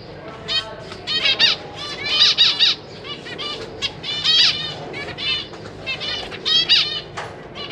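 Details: A caged zebra finch family, two adults and six young including fresh fledglings practicing flight, 4 May 2023; a continuous chorus of loud, buzzy nasal beeps with rich harmonics, many short calls in clusters.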